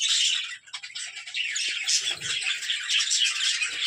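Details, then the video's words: Budgerigar breeding colony with chicks in nesting pots: a busy, unbroken wash of high twittering chirps from many birds, a short lull near half a second, plus faint low knocks. "Budgies farm"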